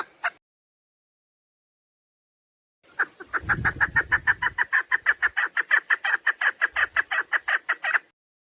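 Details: Female chukar partridge lure call for hunting: one short note, a pause, then a long accelerating series of harsh clucking chucks with some low thumping noise.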